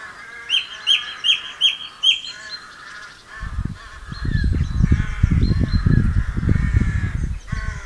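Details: A song thrush singing at Campbeltown in April 2012 repeats a short, bright phrase five times in quick succession, then sings more varied notes under heavy wind rumble.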